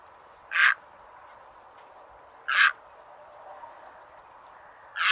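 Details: Egret call used as a bird-trapping lure: single loud, coarse, raspy squawks, each brief and broad, repeated about every two seconds against a low background hiss.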